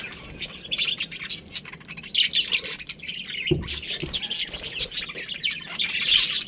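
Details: Budgerigars in a colony chattering: overlapping shrill chirps and harsh squawks in uneven bursts, with a brief low thump in the middle.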